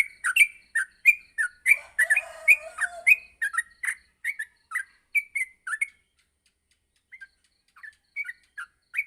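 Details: Yellow-vented bulbul in a morning master recording for training: rapid bright chirps tumbling one after another, a brief low rasping note mixed in, then the phrases thin out into scattered quieter chirps after a short pause.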